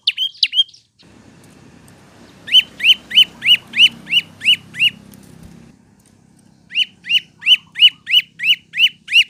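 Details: Olive-backed prinia song as a tutor recording for cage birds, with steady runs of sharp chirps about three per second, nine in the first run and ten in the second, separated by low rumbling background noise.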